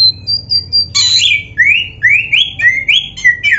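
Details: Black-breasted oriental magpie-robin in a song recording for training cage birds: high thin whistles, a harsh burst, then a quick series of rising whistled slurs repeated about every third of a second.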